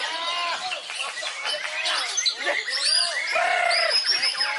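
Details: White-rumped shama at a singing competition, a first-place winner in the main class: dense, loud, continuous song of rapid slurred whistles and sharp high notes, with other birds singing over each other throughout.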